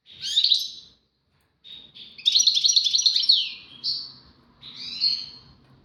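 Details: European goldfinch, Moroccan song with tawawati and tbatbati phrases: short high twittered bursts separated by pauses, a rapid rattling trill in the middle, then a few drawn-out slurred notes over faint low background hum.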